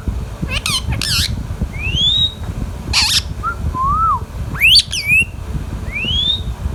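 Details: Pet Indian ringneck parrot, a talking bird, alternates harsh, wavering squawk bursts with clear rising whistles and a few short dipping notes, roughly one sound every second, against low background hum.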